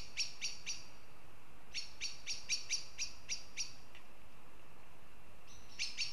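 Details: A Northern goshawk in Riga, Latvia gives harsh, clipped kek notes in quick runs of three and then seven, about three per second, over a steady low rumble.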